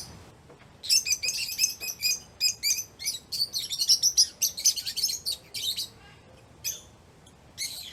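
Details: Lovebirds chirping, as they do when playing, eating or excited: loud, dense volleys of shrill, scratchy chirps packed closely together for several seconds, then a few scattered calls.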